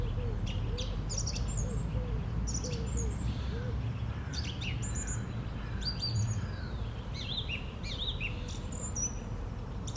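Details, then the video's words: Song thrush singing on a Sunday morning, 11 April 2021: high whistled and chirpy phrases, some repeated, over steady low rumble, with a run of soft low hooting notes from another bird early on. "Śpiew drozda śpiewaka w niedzielny poranek"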